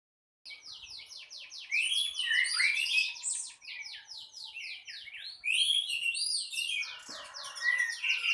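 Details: Orange-headed thrush singing continuously in the morning: a fast, dense run of varied chirps, trills and whistled slurs. Notes repeat rapidly and bursts grow louder midway, with no other clear sounds.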